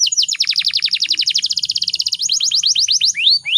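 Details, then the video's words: Canary, described as a female calling to provoke males into singing: a fast run of high, downward-slurred whistled notes, about four a second, then a few slower upward-sweeping notes near the end. "PANCINGAN KENARI BAHAN AGAR CEPAT BUNYI"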